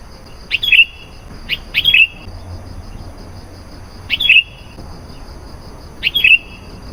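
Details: Sooty-headed bulbul call used as a lure for wild bulbuls: short, crisp two-part whistled notes, given singly or in pairs about every one to two seconds, over a soft steady hiss.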